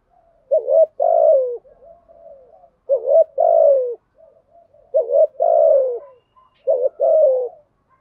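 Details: Spotted dove's 'giọng thổ' cooing: four evenly spaced phrases about two seconds apart, each a short hooting note then a fuller falling coo, with low soft murmurs between, no other noise.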